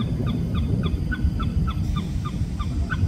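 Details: Oriental pied hornbill, recording tagged Singapore, giving a fast cackling series of short nasal notes, about four per second, over a heavy low rumble of wind or background noise.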